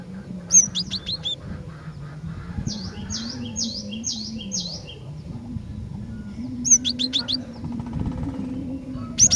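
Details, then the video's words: Female cinereous tit calling to excite males: clusters of sharp, high chirps, then a run of five clear downslurred whistles at an even pace, then more chirp bursts. Low background hum throughout. "Kicauan Glatik Betina Gacor Dor, Cepat Bikin Glatik Jantan Bahan Ombyokan Langsung Cepat BUNYI GACOR"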